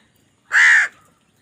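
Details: A single loud, harsh crow caw, drawn out for under half a second and evenly rasping throughout, heard while crows fight for food against quiet surroundings.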